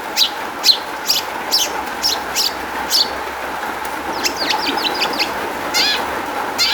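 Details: Long-tailed shrike song intended to lure other shrikes into answering: sharp high notes repeated about once a second, then a rapid chattering run of slurred notes and harsh buzzy bursts, over a low continuous hum.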